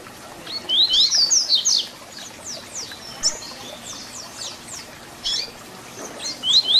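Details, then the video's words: Papa-capim (double-collared seedeater) with the Tui Tui Zel Zel fibra song for teaching young birds. A loud burst of quick high whistles, a softer descending strophe, and the start of another phrase at the end. "Papacapim Tui Tui Zel Zel Canto FIBRA para Encarte!!!"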